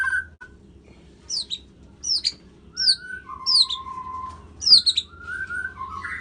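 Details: Sparse song of a white-rumped shama, Medan, Indonesia: crisp high downward-slurred whistles alternating with long, pure, low steady whistles, spaced by short pauses, over a faint low hum.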